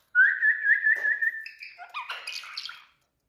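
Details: A pet speaking parrot in India holds a long, steady, slightly wavering whistle, then breaks into soft, jumbled chattering notes before going quiet.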